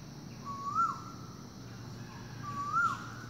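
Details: Asian koel calling in the morning, loud across the forest: two clear whistled notes about two seconds apart, each rising then dipping, over a low steady background hum.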